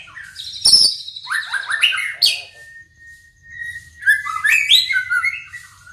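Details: Singing white-rumped shama arranging its song: a loud click and high buzz, a run of stepped downward whistles, one long steady mid-pitched note, then a bright cluster of rising and falling whistles.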